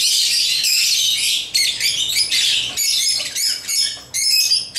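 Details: Lovebirds of African kind, playing with toys, chirp in quick shrill bursts, their bright high notes stopping and starting every second or so.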